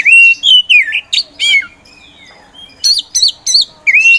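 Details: Oriental magpie-robin, kacer poci type, singing actively as a provoker for other contest birds. A long wavering whistle is followed by clipped rising notes, a quiet gap, then four loud repeated twisting whistles and a final sweet whistle.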